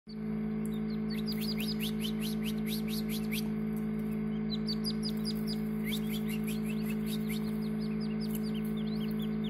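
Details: Newly hatched partridge chicks in a homemade incubator, hatched on 6 June 2019; rapid series of thin, high descending peeps in quick bursts, over a steady low mechanical hum from the incubator.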